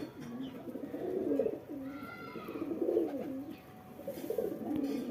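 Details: A domestic pigeon at a home loft in Jangipur, Murshidabad, gives low, throaty coos in repeated rolling phrases while the flock gathers to be fed and watered.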